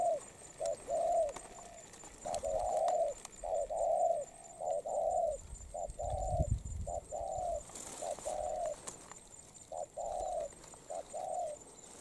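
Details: Molting wild-caught spotted dove delivering a steady coo series: brief lead notes then drawn-out hollow coos, about one per second, with a brief low thump and soft noise in the background.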